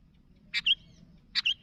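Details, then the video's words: Two short calls from a sooty-headed bulbul summoning others, each a sharp click followed by a clear, slightly falling whistled note, spaced under a second apart against a quiet low hum. "Suara Burung Kutilang Gacor Memanggil Kawan"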